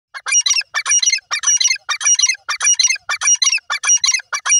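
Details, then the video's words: Kept francolins (teetar) calling loudly: harsh, rasping bursts repeated in rapid series, about two per second, each burst a dense cluster of scratchy, squawking notes. No other sounds stand out. "my teetar birds ki beautifull voice"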